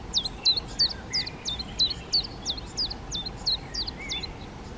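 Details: Black redstart parents, the male darker and the female lighter, feeding young that have left the nest; crisp high hooked calls repeated evenly about three times a second, with faint lower chirps in between.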